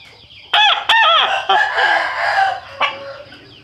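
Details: Rooster crowing in a trumpet-like voice: sharp loud bursts opening into a long, sustained harmonic crow of about two seconds that trails off, with a brief final note.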